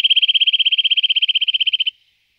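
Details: Eurasian nuthatch (Sitta europaea) delivering a rapid, even trill of about thirty-five identical piping notes in under two seconds, ending abruptly.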